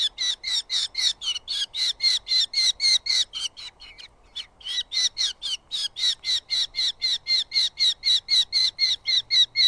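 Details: Eurasian hobby nest in southern UK with two chicks squabbling over moths brought by the father; continuous fast series of piercing, harsh squealing calls, briefly pausing midway, then resuming at the same rapid even rhythm.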